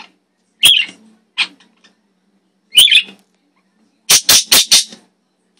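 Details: The blue one of a pair of pet parakeets chirps and screams, giving two harsh, buzzy screeches a couple of seconds apart, then a fast run of four loud, raspy squawks; nothing else is heard.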